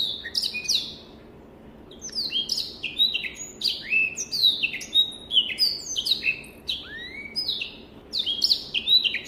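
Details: African black-throated canary singing for song-training use: bursts of fast, high warbled whistles and falling notes, a brief quiet gap near the start, then a long dense run of phrases.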